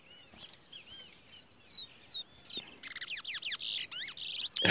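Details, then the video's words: Caged Towa Towa seed finch singing in a bird race song contest: soft looping whistles at first, then a quicker run of sharp slurred notes rising and falling, over steady background hiss. "Towa Towa/Curio/Bullfinch Bird Race"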